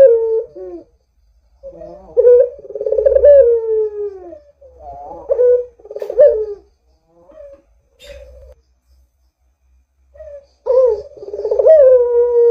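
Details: Sequence of Barbary dove coos used to lure other doves into calling: several accented, purring coos in irregular bursts, separated by silent gaps and brief soft notes, with a low hum underneath.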